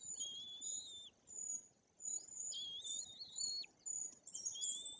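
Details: High-pitched piping and slurred whistles from white-tailed eagle chicks nearly three weeks old, fed by their parents at a nest in Bory Tucholskie, Poland; short notes alternate with longer downward-sliding calls.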